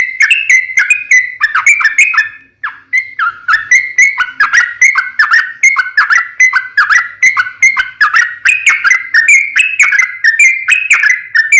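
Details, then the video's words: Long continuous sooty-headed bulbul song used to lure other birds to answer: many quick whistled phrases, chattering and bubbly, with a brief lull near the start. "SUARA trucukan gacor RAJA PIKAT tarung ropel panjang"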